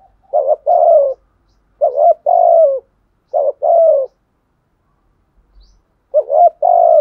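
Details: Spotted dove in the deep 'thổ sấm' style, calling so that other males answer: four evenly spaced double coos, each a brief rising note then a sustained downward one, with about a second of silence between.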